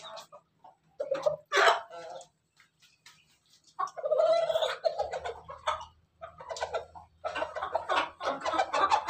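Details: Ayam ketawa and ayam pelung roosters, domestic chickens, crowing: rough bursting cries with a drawn-out mid-pitched phrase in the middle and a long ragged run at the end, with gaps of quiet between.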